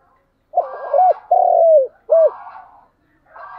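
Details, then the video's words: Morning lure call of a decoy spotted dove: low, mellow coo phrase with stuttering opening notes, one long sliding coo and a brief closing note, framed by buzzy rasping sounds. "Cu gáy mồi gáy gọi buổi sáng"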